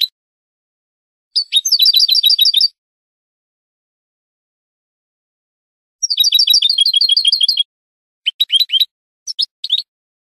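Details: Training song of a European goldfinch for caged birds: bursts of fast, liquid twittering chirps lasting about a second each, separated by silent gaps, then short scattered tinkling fragments near the end.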